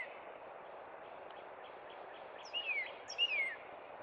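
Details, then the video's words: After a quiet noisy stretch, a northern cardinal at Cub Run in spring sings two clear downward-sliding whistles close together. "Northern Cardinal Song"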